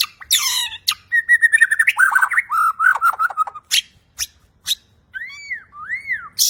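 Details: Clear, variation-rich song from a champion Bornean white-rumped shama. Buzzy notes give way to a long string of rapid, bubbling warbles. After sharp clicks and a short pause come two clean, rising-and-falling whistled arcs.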